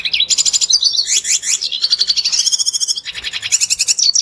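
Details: Red siskin song meant to set other birds singing: fast, high twittering and buzzy trills running continuously, with chattering phrases and brief slurred whistles.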